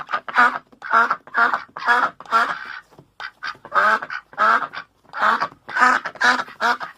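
A duck gives loud, harsh quacks in rapid bursts of several notes, pausing briefly between runs, so it sounds like laughter.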